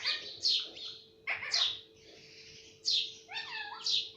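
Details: Pet talking parrot said to repeat words like mummy and papa; a few harsh, speech-like squawked syllables separated by short gaps, over a steady low electrical hum.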